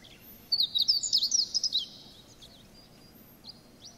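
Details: Meadow Bunting, a sparrow relative, singing a brisk phrase remembered in Japan as 'ippitsu keijō tsukamatsuri sōrō': rapid high chirping notes tumbling for about a second and a half, then quiet with a faint later note.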